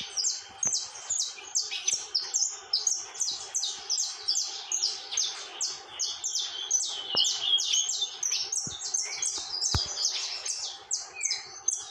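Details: Unbroken, energetic song from a saffron finch: many short, piercing high notes repeated fast and chaotically for about twelve seconds, with occasional lower slurred notes and faint clicks.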